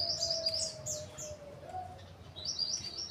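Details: Mountain white-eye calling to draw in males: clusters of high thin twittering chirps at the start and again near the end, over a steady low humming tone and background noise.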